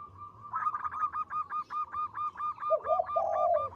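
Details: Local zebra dove singing persistently: a fast string of short, clipped, slightly rising notes repeated about four times a second, ending in a lower, drawn-out purring coo; faint low hum underneath.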